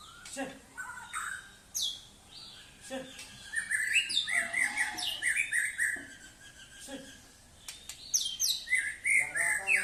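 A White-rumped Shama sings rich, varied phrases of clear whistles, rising and falling slurs and quick chirps in rapid bursts, with a few dry clicks between phrases.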